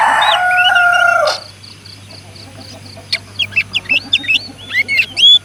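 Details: Rooster (ayam jantan): the drawn-out, harmonic end of a crow fills the first second and a half, then stops abruptly. It is followed by quiet and a run of high, quick chirps from small birds.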